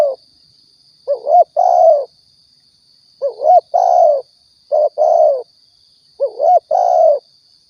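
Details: Spotted dove, Riau, Indonesia, played as a hunting and trapping lure: four soft two-note coos, a quick looping rise and a longer sliding croo, spaced about 1.5 seconds apart, with a faint continuous high tone.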